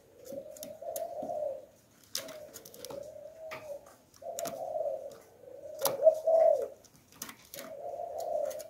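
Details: Spotted dove of the 'Hạp Bổi' voice type, used as a lure bird: five or six rounded cooing phrases about a second long, separated by brief pauses, with scattered light clicks and taps.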